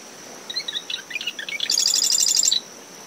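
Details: Near its nest in coastal dune shrubs on a windy morning after a storm, a marsh wren gives a single song: scattered clicky introductory notes building into a fast, metallic, high rattle; cricket drone and waves underneath.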